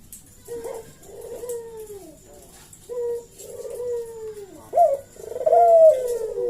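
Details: Dove cooing meant to provoke an answer: softer, lower coos descend one after another, then a louder two-part coo with a sharp opening note and a long falling tail.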